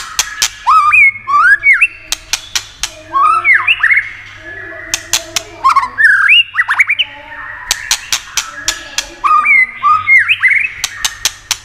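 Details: White-rumped shama song for exciting other shamas, with 'tạch' click notes: repeated bursts of loud looping whistles and slurred rising notes, separated by crisp dry clicks, over a steady low hum.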